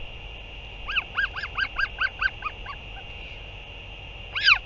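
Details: Northern royal albatross, a parent returning to feed its chick, 8 June 2023: a quick run of about nine short arched honking notes, fading out, then one louder honk after a pause, over a steady electronic hum.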